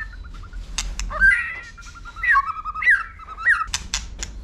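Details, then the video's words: White-rumped shama, tail flicking while singing for competition, delivers a series of short whistled phrases with upward flicks, interspersed with sharp clicks. "Chòe Lửa hót tạch đập đuôi KÍCH BỔI YẾU LỬA SỔ GIỌNG. kích chòe Lửa hót đấu. chích chòe lửa hót"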